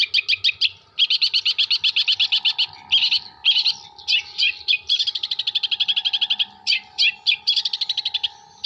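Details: Long-tailed shrike from Jember singing its learned repertoire of kuntilanak, sparrow and tengkek buto imitations: fast rattling trains of sharp high chirps, long even trills broken by short chattering bursts, over a low steady hum.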